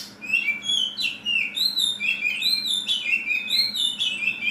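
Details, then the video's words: Oriental magpie-robin in 'tembakan kasar' style song, giving clear high whistled notes that rise and fall, mixed with sharp downslurred chirps, delivered in quick bursts about every half second. "Kacer tembakan kasar"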